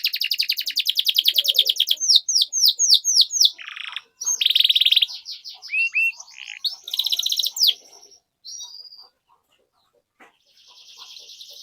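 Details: Canary in full, extended song as a training lure for juvenile canaries: quick pulsed trill, sweeping chirps, harsh buzzy rolls and short whistles, fading to a soft distant trill near the end.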